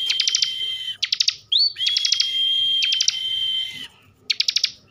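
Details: Caged bar-winged prinia from Central Java pouring out bren song: dense bursts of fast clicks riding on a long level high whistle, a short upslurred note, and a final clicking burst after a pause.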